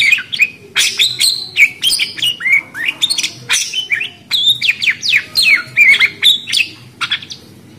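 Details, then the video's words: Budgerigar chattering almost continuously: a fast, varied stream of squeaky chirps, rising and falling whistled notes and short warbles with hardly a gap. "Suara Burung Parkit Australi"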